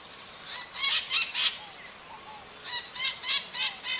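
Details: Maritaca parakeet calling in the wild, a burst of four rasping squawks, a short pause with faint thin whistles, then another run of five harsh, evenly spaced screeches.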